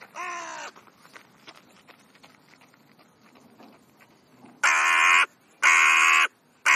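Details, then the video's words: Chatty crows: one rasping caw opens, then soft clicks and murmurs during a quieter stretch, then two loud, grating caws in quick succession near the end. "Krähenunterhaltung /crow`s talk"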